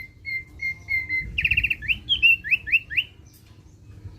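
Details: Thick-billed white-eye song used to prompt other birds to sing: a run of steady whistled notes, then a fast trill followed by five quick rising slurred whistles, with low background hum.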